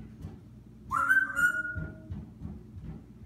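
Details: Captive African grey parrot in a home, said to be imitating a fart: one clear whistled note, slightly rising then held level for about a second, over low room hum and faint background chatter.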